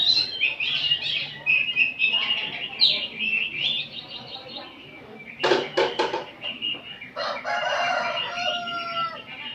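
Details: Afternoon group song of many oriental magpie-robins, kacer ombyokan training material. Busy overlapping whistles and warbles are broken midway by a few sharp clicks and a loud crackling burst.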